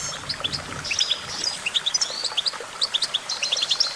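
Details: Goldfinch singing a quick, jumbled twitter of clipped high notes in small groups, punctuated by brief sliding whistles, fairly loud against a soft low rumble.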